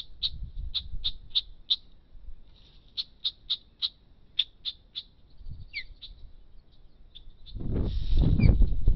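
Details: Osprey in a fight for its nest: rapid bursts of short, high chirps, several per second in two runs, then a slurred whistle, ending in loud rushing wind or handling noise.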